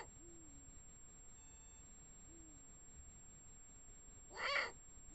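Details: Female and male Eurasian eagle-owls calling at 1:01 am on 16 March 2017 in the Eifel, recorded at least about 200 m from the nest: deep, soft, slightly falling hoots about every two seconds, broken once by a brief harsh hissing burst.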